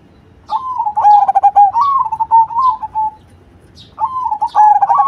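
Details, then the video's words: Cemani zebra dove in full song with a loud voice: a fast stuttered run of cooing notes that settles into a wavering, drawn-out coo, a short pause, then the phrase starts again, with faint high chirps. "Perkutut Cemani Gacor Suara BESAR"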